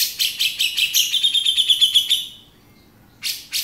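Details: Male grey-cheeked bulbul, 'beset' style: fast harsh notes with a thin, high whistled trill running alongside, then silence and two final rasps.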